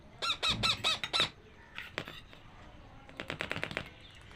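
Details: Hungry parakeet chicks, hand-fed in captivity, screech for food: five rapid, harsh, harmonic screeches in the first second. Fainter chatter, rustling and scattered clicks follow.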